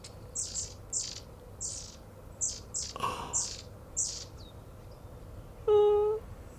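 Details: Long-tailed tits in an English garden on 11 December 2020 give thin, very high calls in quick bursts, about ten notes over six seconds, with a man's brief spoken 'oh' near the end.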